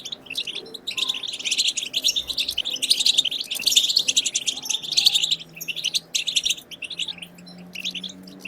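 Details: European goldfinch bitbita khalawiya twitter, played to encourage goldfinches to sing: continuous rapid tinkling notes and trills, densest and loudest in the middle, thinning toward the end with faint low hum.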